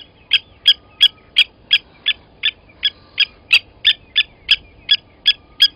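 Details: Steady, evenly spaced ringing clinks, about three per second, from blacksmith lapwings beside a waterhole in Sabi Sand Wildtuin, South Africa, on the morning of 29 August 2020, while one adult kills a chick taken from the nest.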